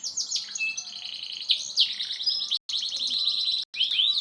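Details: Canary delivering a durasi-style song, dense high trills and chirps running without pause, with two brief dropouts of silence in the recording.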